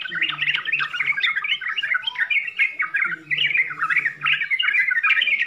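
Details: Yellow-vented bulbul pouring out dense 'full isian' song, jumbled warbling and squeaky chatter in quick bursts, brief lulls near two and three seconds, soft low hum beneath parts.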